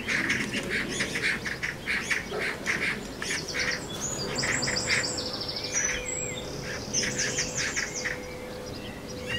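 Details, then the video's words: Around a nest at the bottom of a garden, magpies scuffle with a string of harsh, rattling chatter bursts in the first half. Higher chirps from another bird and a wavering whistle follow. "MAGPIE NEST FIGHT"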